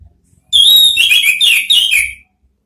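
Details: Orange-headed thrush song from Indonesia, used as a lure therapy to draw out the ngeplong sound: a high whistled note slurring down, then a rapid run of varied rising and falling whistles lasting about two seconds.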